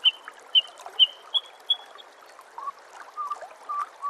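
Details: Master training recording of white-rumped shama song: a run of five sharp whistled notes spaced about half a second apart, then lower, softer slurred notes, with a steady trickling, water-like hiss behind.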